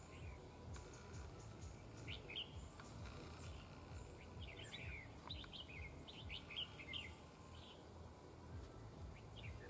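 A bird sings bright, quick chirping phrases over a steady low rumble.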